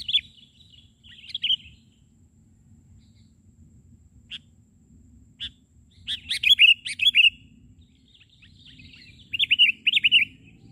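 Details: Sooty-headed bulbul (kutilang), an actively singing bird heard during trapping while on the ground: separated bursts of rich, gurgling warbled phrases and single sharp chips, with quiet gaps of a second or two between them.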